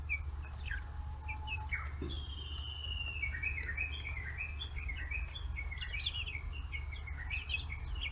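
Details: Young free-range chickens, 40 days old, flocking to fish heads on a Kitahiroshima farm in Hiroshima, Japan; a long falling whistle followed by a dense run of quick high peeps and chirps, with steady low hum throughout.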